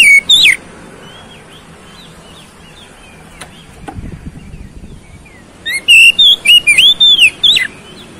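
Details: Oriental magpie-robin song used as a lure to provoke a fighting response: a brief burst of high whistled notes at the start, then a mostly quiet stretch with a faint click, ending in a rapid run of loud sweeping whistles and chirps.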